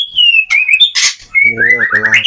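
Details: A male White-rumped Shama courts a female while being paired for breeding, giving clear, high whistled phrases sliding downward, broken by a harsh burst, while a man speaks over the later notes.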